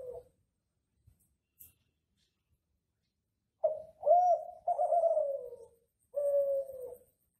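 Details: Ringneck dove of the Kelantan classic type from an Indonesian breeder, voiced as a master song to coax other doves: after quiet ticks, a sharp onset, an arched coo, a long slowly falling coo and a final even coo.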